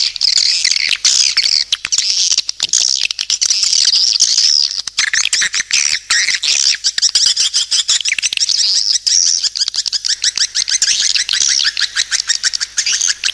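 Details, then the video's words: Swiftlets calling in a long unbroken chorus of shrill chattering twitters, peppered throughout with quick ticking clicks. "SUARA PANGGIL BURUNG WALET"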